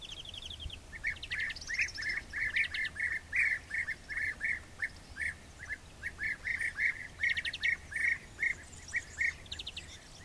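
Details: European bee-eater preening on a branch in Ávila province, Spain, gives liquid, rolling 'prruip' notes, about two or three a second, with brief higher trills from other birds among them.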